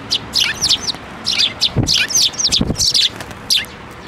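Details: Sparrows flying onto a person's hand for food at a Tenmangu shrine, Japan, 7 May 2024: loud, busy, overlapping high chirps in quick clusters throughout, with a few soft low thumps of wings or movement.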